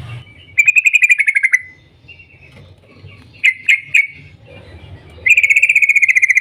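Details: Yellow-vented bulbul in the morning, rapid 'cuk cuk' calling said to set other bulbuls singing: a long fast chattering burst, a short pause with a few separate notes, then another quick pulsed run.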